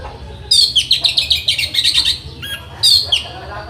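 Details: Orange-headed thrush (anis merah), tutor song for training birds: a fast run of high, sharp repeated notes, then a short break and one more bright, slurred phrase.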